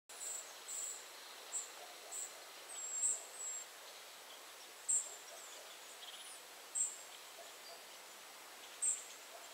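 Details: Tree pipit in central Poland giving thin, very high, short call notes at uneven intervals, every second or two, over a steady background hiss.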